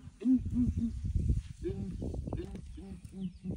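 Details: Several ground hornbills calling in the morning while a breeding herd of elephants comes to investigate; deep booming hoots repeat in short groups of three, with low rumbling and background noise beneath.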